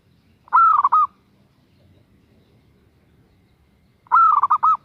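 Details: Female zebra dove calling a male: two separate bursts of bright, rippling cooing, each about half a second long with several quick bubbling pulses. A long quiet gap with faint low background hum separates them.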